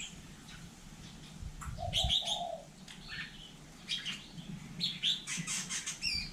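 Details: Hill myna in Vietnam mimicking human speech: a pair of low whistled notes, then scattered sharp high chirps and squeaky calls clustered toward the end, over faint background hum.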